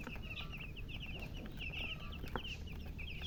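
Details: Domestic chicks peeping nonstop: rapid, high, downward-slurred chirps tumbling over one another in a continuous overlapping stream, with a low background rumble.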